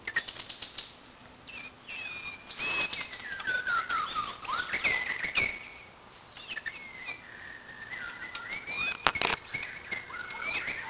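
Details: White-crowned shama at a playground sings a rich, flowing run of clear whistles, slurred and sweeping notes, with sharp clicks and wing flutters between phrases.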